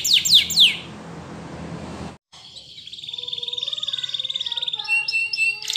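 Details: A Belgian canary sings a few rapid rising sweeps, then after a brief break a long, even pulsing trill with lower warbled notes beneath, closing with sharp chirps.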